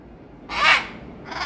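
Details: Harlequin macaw at Orbi Yokohama, 2023, gives one loud, harsh, rasping squawk about half a second long, and a second squawk begins just as the sound ends; the background is quiet.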